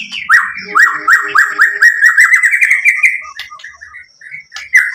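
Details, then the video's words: Song of a white-rumped shama, played to draw other birds into answering: a rapid run of repeated slurred whistles, about two per second, loud and even, then softer scattered notes and a final strong whistle. "SUARA MURAI BATU Untuk Memancing BUNYI jadi NYAUT GACOR"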